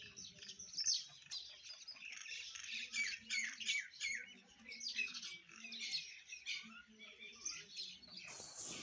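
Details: Sparrows eating food and chirping: a dense, continuous chatter of rapid high chirps from many birds, with faint low sounds underneath and a burst of noise at the end.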